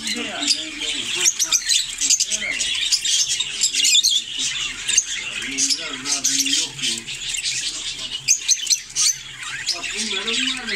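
Budgerigars keep up a busy chattering warble of squawks, clicks and rapid chirps.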